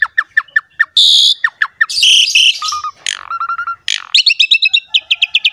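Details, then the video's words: Asian pied starling in captivity singing rich song intended to stimulate a quiet bird: evenly spaced downslurred whistles, a loud harsh screech, level whistled tones, and a fast run of repeated chips. "MASTERAN BURUNG JALAK SUREN"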